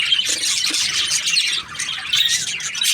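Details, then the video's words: Happy budgerigar giving nonstop scratchy, high-pitched chatter mixed with small squeaks and short whistled notes, with a short quieter moment midway. "Happy Budgie chirping sounds"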